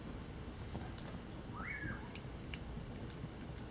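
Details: Common pauraque calling beside a fire in wintertime: one slurred whistle that climbs quickly, then curves downward. Insistent high cricket trilling fills the background, with sharp crackles from burning wood.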